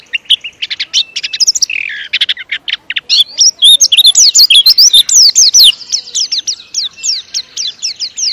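A white-eye sings a fast, unbroken run of high, thin twittering notes and sharp chirps, packed closely together with hardly a pause.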